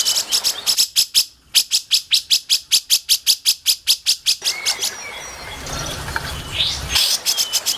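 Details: Grey-cheeked bulbul mastering recording: a long, loud series of rapid, harsh, clipped notes repeated about four per second for over four seconds, then quieter chirps and low rumble before the notes resume.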